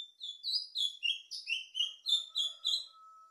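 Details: Plumbeous seedeater (patativa) singing a fast run of clear whistled notes, sliding and warbling between high and very high pitch, about eight quick phrases in a row, with a faint steady tone near the end.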